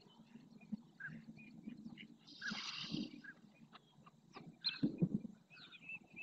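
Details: Flamingos in a group display in the El Rocío marsh, Doñana, Spain, wheeling heads and splashing; harsh raspy honks rise over a low, continuous gabbling chorus, with short high chirps from other birds scattered throughout.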